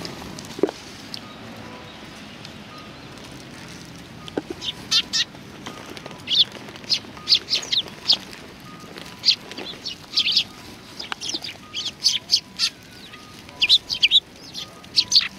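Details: Sparrows coming to be fed at a Tenmangu shrine, 25 November 2020; scattered short chirps, sparse at first and then coming in quicker bursts, with faint low background hum.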